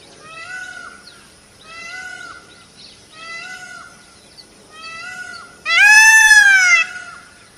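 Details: Indian peafowl peacock giving four moderate, evenly spaced, arched nasal calls, followed by one much louder, long, ringing wail that rises and falls.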